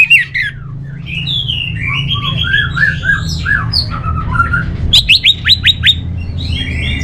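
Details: Orange-headed thrush singing a varied run of warbled and whistled phrases, some rising and some falling, ending in a quick series of about six sharp downslurred notes; a steady low hum throughout.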